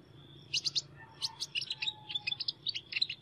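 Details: Sunbird singing with an unusual voice, a busy jumble of high chirps and quick twittering notes in close clusters, with a faint lower whistle underneath and steady high background hum.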